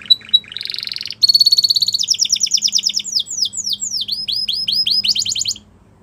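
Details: Canary singing to encourage canaries to sing: a few clipped notes, then a rolling trill, a fast rattle, and a flowing series of downslurred whistles ending in a trill.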